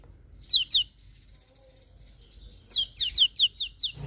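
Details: In the morning, a lemon-bellied white-eye gives two high, falling whistled notes, goes quiet for nearly two seconds, then utters a series of six similar downslurred notes in quick, even succession.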